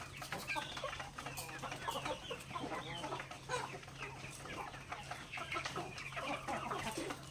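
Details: Native chickens in a backyard pecking grains at mealtime, giving rapid overlapping clucks and quick chirps, with pecking clicks and a constant low hum behind.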